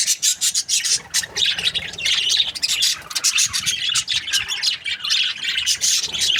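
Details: Several budgerigars kept as breeding pairs keep up a steady, overlapping flock chatter of high squeaky chirps and scratchy warbles with hardly any pause.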